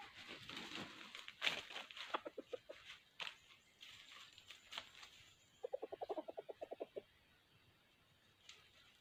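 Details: Red junglefowl decoy for trapping, with a burst of rapid clucks running about a second and a half, after noisy rustling and scattered knocks at the start.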